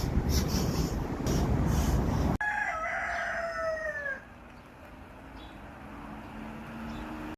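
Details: Rooster crow, a full harmonic call lasting about two seconds that slides gently downward after an abrupt cut from loud noisy rustling, with faint background sounds afterwards.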